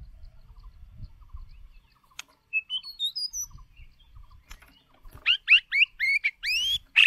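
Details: White-rumped shama decoy bird singing to train shama voices: soft high rising notes, then a loud closing burst of five or six rapid looping whistles, with low background rumble at the start.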